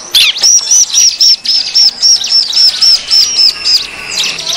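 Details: Bar-winged prinia lure call for attracting wild birds: a rapid, steady run of about thirteen clear high whistled notes, each slightly arched, repeated several times a second, fading into a thin trailing tone.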